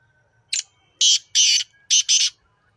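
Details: Black francolin, locally kala teetar, recorded at Nawabshah, Pakistan: one short harsh note, then two long rasping, grating notes, a brief gap and two more paired rasps, loud and dry against a quiet background.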